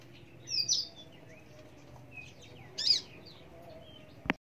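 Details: Australasian bushlark, subspecies parva, gives high sliding whistles and a loud buzzy burst, followed by a sharp click just before the sound cuts off.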